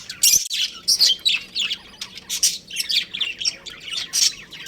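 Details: Chirps from a breeding pair of pet budgerigars: a loud burst opening, then steady rhythmic scratchy chirps and squeaks roughly every third of a second.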